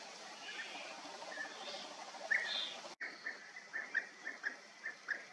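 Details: Several European bee-eaters near Bölcske, Hungary; faint rolling calls early on, then a run of short, trilled, rolling notes repeated roughly every half second in the second half, over a soft background hiss.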